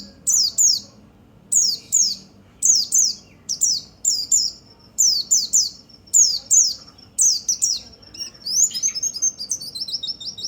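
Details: Persistent white-eye song for stimulating other birds: paired and tripled high falling notes repeated for ten seconds, ending in a jumble of quicker twittering chirps.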